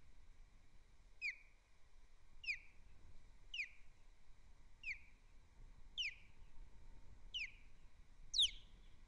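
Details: Alarm calls of an osprey at Captiva, 24 January 2025, captured by a fixed camera during landing and chasing: clear downslurred whistles given about once every second or so, seven in a row, the last one louder, with faint low rumble beneath.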